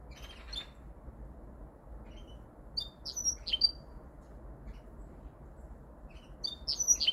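A linnet-canary mule sings three short bursts of bright, twittering, high-pitched notes with pauses between them, over a steady low hum.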